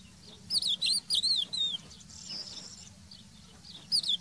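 Crested Lark singing a quick run of clear, wavering whistles that rise and fall, then a pause and a brief final phrase, over faint low background rumble.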